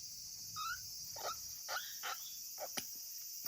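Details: African grey parrot nestling from August 2020, alone at a breeding facility and calling lonesomely: one clear rising whistle followed by a run of short husky squawks, with a sharp tick near the end and background hiss.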